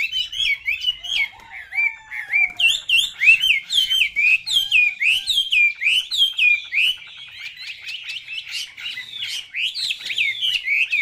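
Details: Pet Chinese hwamei in a cage, giving a long, rich song of loud whistled phrases. The phrases are fast, repeated and wavering, with sharp upward flicks and rolling notes running almost without pause, about three or four phrases a second.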